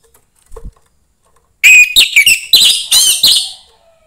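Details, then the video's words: Young orange-headed thrush from the forest, singing to rouse other thrushes. A faint click comes first, then a loud two-second phrase of rich, varied whistles, some sliding, some held and falling away at the end. "suara anis merah MUDA HUTAN meningkatkan felling anis merah lain"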